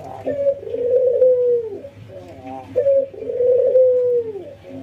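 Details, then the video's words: Albino white and local ringneck doves in routine training, nodding and laughing; two sustained purring coos sliding downward at the finish, separated by a soft wavering laugh-like stutter. "puter putih albino versus puter lokal ngangguk dan tertawa"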